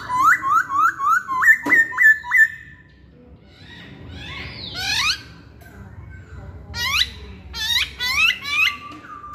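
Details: Hwamei singing a fast run of about ten bright whistled notes, each with a quick upward flick. A pause follows, then clusters of sharp descending chips and a few more rising whistles.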